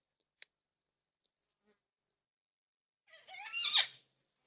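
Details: Four yellow-tailed black cockatoos visit a backyard bird feeder in NSW, Australia, on 20 March 2026; one gives a single harsh, wavering wail of about a second that rises and strains near its end, after one faint click.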